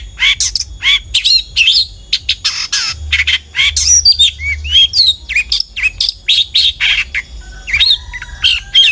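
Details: Long-tailed shrike in full song, used as a lure for other shrikes: a dense, varied stream of harsh notes, rising and falling whistled slurs and mimic-like phrases with scarcely a break.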